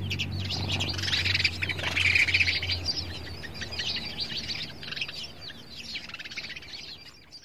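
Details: Male sparrow quarrelling with his mirror reflection gives rapid, dense chattering chirps, about four a second, loudest early then gradually fading, over low hum.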